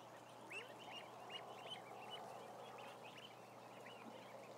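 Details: Roughly a thousand ducklings heard together, a run of quick, upward-sweeping peeps repeated almost three times a second over a constant low hum.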